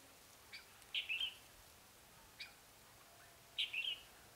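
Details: Red-whiskered bulbul decoy bird singing to lure wild birds: two brief bright whistled phrases about two and a half seconds apart, with a faint single note between them, over low background hiss.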